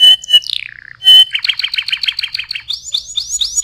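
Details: Canary song meant for tutoring other birds: pure whistled tones and a falling slur, then a choppy run of quick paired chips, ending in rising, upswept high notes.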